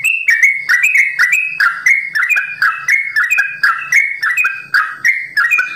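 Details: A Sooty-headed bulbul kept at a bird farm delivers rapid 'ropel' song, a chain of clear, fluty whistles each dipping then rising, repeated roughly twice per second in an unbroken stream.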